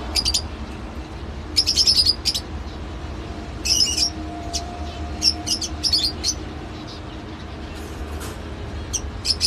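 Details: Lovebird calls: sharp, high squeaky chirps in scattered bursts and single notes, louder early on and thinning out later, over a soft low rumble.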